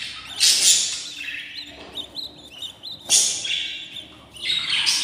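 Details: Baby budgerigars, 14 days old, in a new nest: harsh, raspy hissing bursts that rise and fade in waves, with short high chirps and squeaks between them, recorded indoors.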